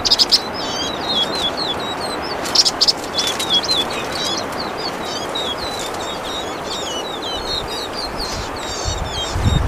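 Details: Vinous-throated parrotbills (subspecies bulomachus) singing: a steady stream of thin, high chirps and twitters from several overlapping birds over a low rushing background.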